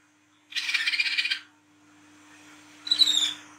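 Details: Olive-backed sunbird of the speckled wiceh type singing ngriwik style at night, a lure sound: a dry, buzzy trill under a second long, a pause, then a brief shrill twitter.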